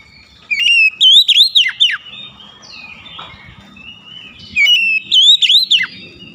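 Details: Oriental magpie-robin song: a loud whistled phrase of a steady note followed by several arching, slurred notes dipping sharply, given twice with a quiet gap of soft twitters and low hum between.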